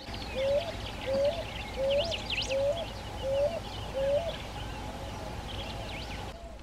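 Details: A male Picui Ground-dove calling repeatedly near Miramar, on Mar Chiquita lagoon, Córdoba, Argentina, in spring 2023: six low, short, slightly rising hoots about every two-thirds of a second, over faint bird chirps and a low rumble.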